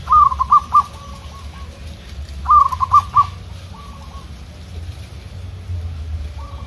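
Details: Zebra dove, local type, counter-singing outdoors with wild rival doves. Two strong phrases of four or five quick bubbling notes, each followed by a fainter answer, with a soft low rumble throughout.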